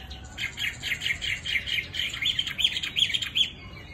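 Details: Rapid series of bright whistled notes from a tame Chinese hwamei, repeated about three times a second with slight changes in pitch, ending abruptly.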